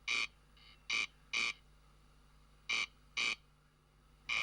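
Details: Corncrake (Crex crex) calling at night over meadows and grassland in Switzerland, where it is very rare: a dry, rasping double crake, the paired grating notes about half a second apart, over a low steady hum.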